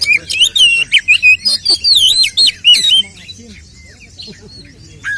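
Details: Oriental magpie-robin fighting song used as a lure to rouse other males: a fast run of high whistled and looping notes for three seconds, then quiet with one faint late note.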